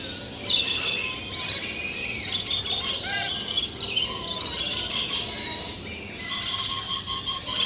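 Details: Lorikeets in their natural habitat giving dense, shrill chattering and screeching in overlapping bursts, with rising and falling squeals at intervals and a brief louder burst near the end.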